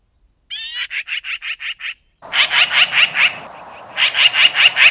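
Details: Magpie rattling out a quick series of harsh chattering notes. After a pause, a louder, longer chatter follows against a rushing, noisy background, with the notes repeated several times a second.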